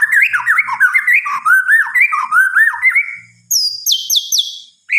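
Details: White-rumped shama singing after dark, a fast tumbling run of mellow, varied whistled notes, then a burst of high, downslurred piercing whistles.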